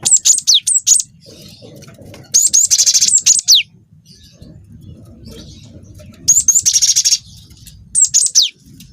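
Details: Juvenile cinereous tit singing a long rolling song meant to provoke other birds: repeated groups of high downslurred whistles alternating with buzzy trilled rolls, spaced by pauses of about two seconds, over a steady low hum.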